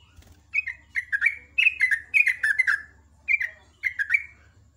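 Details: Sooty-headed bulbul morning song, ropel ngecruk style: an energetic series of bubbling, downslurred whistles in rapid clusters, a pause, then two more clusters, with a low hum beneath.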